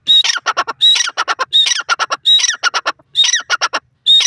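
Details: Teetar or grey francolin giving its loud call: a sharp high whistle then a rattling run of three or four harsh notes, repeated roughly every 0.7 seconds in a steady, insistent series.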